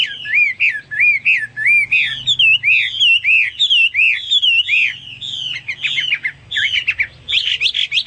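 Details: Hwamei in full song: a varied sequence of loud, rich whistles, rising and falling loops repeated in short groups, then faster twittering and sharp notes toward the end.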